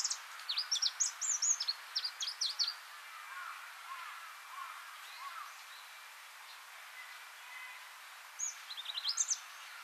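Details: A Pallas's leaf warbler, scarce migrant on Hegura-jima, Japan, gives a burst of high rapid notes and trills, then falls silent amid faint background hiss before a short second burst of sharp rising notes near the end.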